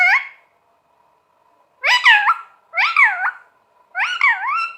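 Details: Talking pet green parrot indoors: a short call, then three similar drawn-out, wavering voice-like phrases, each dipping and rising in pitch, spaced about one second apart.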